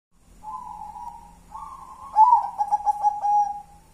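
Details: Local wild-type zebra dove singing in the ngelaras one-and-a-half engkel style: a soft, steady coo, then a louder phrase of rapid throbbing pulses that ends in a drawn-out low coo.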